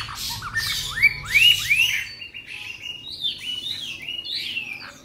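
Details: Three-month-old young sibia, newly acquired and not yet bathed, singing in Hanoi, Vietnam: bright rising whistled notes swept upward in quick succession, then a run of lighter warbled phrases, over faint low background hum.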